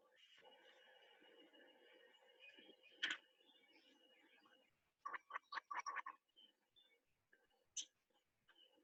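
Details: Lattice-tailed trogon call played back on a Costa Rica birding tour: a quick run of about seven hoarse, barking notes in just over a second, after electronic hum and a click.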